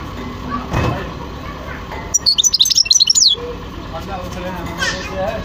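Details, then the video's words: A European goldfinch gives a rapid, jingling run of high twittering notes for just over a second, amid low background noise and a few faint sounds before and after. "تغريد حسون خلو"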